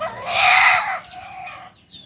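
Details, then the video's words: Kokok Balenggek rooster, a native village chicken from Solok, West Sumatra, kept for its multi-tiered crowing of up to 19 tiers; a loud harmonic crow swelling for about a second, then a quieter trailing tail. "Ayam kukuak balenggek ayam asli solok sumbar"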